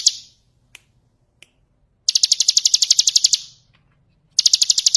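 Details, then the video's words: Bar-winged prinia singing ngebren style for training other birds: fading end of a trill, a quiet stretch with two soft clicks, then a strong burst of rapid high buzzy pulses lasting over a second, and another starting at the end. "Masteran ciblek ngebren + gemercik air ,cocok buat masteran"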